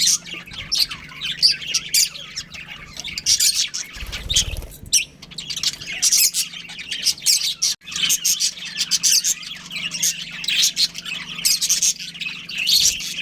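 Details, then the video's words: Budgerigar breeding pair keeping up steady high-pitched chirping and chattering warbles, dense and overlapping, broken by a short low rumble early on; constant low hum beneath. "Adorable Budgies Chirping Sounds"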